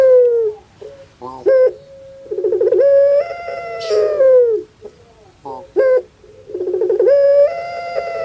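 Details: ['Puter pelung dove kept in Java, Indonesia, sounding like a crying baby: rattling stuttered notes followed by long sustained coos that rise and then sag, repeated in several phrases.']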